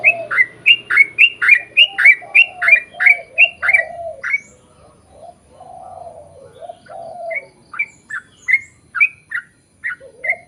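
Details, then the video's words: Yellow-vented bulbul lure song for drawing replies from others of its kind: a fast, even run of loud doubled whistles for four seconds, then lower mellow hooting notes, and sparse high whistled notes returning toward the end. "KICAU SUARA trucukan gacor ROPEL PANJANG pancingan trucukan agar bunyi"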